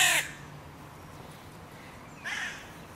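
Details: Crow in a park where three breeding pairs contest their territory borders; the tail of a loud caw, then a quieter caw about two seconds later.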